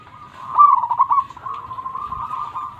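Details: Local zebra dove singing vigorously in a loud, full voice, used to prompt lazy perkutut to sing: a steady mid-pitched cooing trill, warbling and rolling for nearly three seconds, loudest early on, over faint low background hum.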